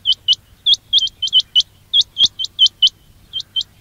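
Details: Quail call recording used as a lure for trapping: short, high, upward-hooked chirps given singly or in quick pairs, about a dozen in under four seconds, over a faint low hum.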